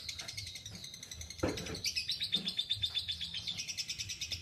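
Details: Lovebird ngekek, a long chatter: after a short thump, harsh, buzzy chirps pour out in a fast, steady stream, about four per second, high and grating.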